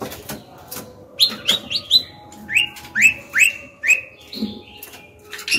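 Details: Female white-rumped shama singing to stimulate young birds and males to sing: a run of bright, rising-then-falling whistled notes repeated quickly for several seconds, some louder and fuller than others, over a faint steady hum.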